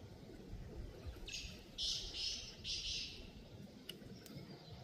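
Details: Black francolin calling at moderate distance: a soft opening note, then two rasping notes and a final double note, over steady low background noise.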